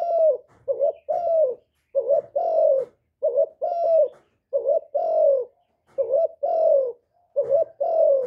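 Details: Spotted dove giving a steady series of two-part coos, played for stimulating kept birds and decoys: a quick low note then a sustained, downward-sliding mellow tone, repeated about seven times in a clean recording.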